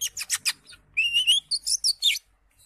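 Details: Caged green leafbird in lively song: harsh, buzzy chattering notes followed by a slurred rising whistle and sharp high chips, given rapidly.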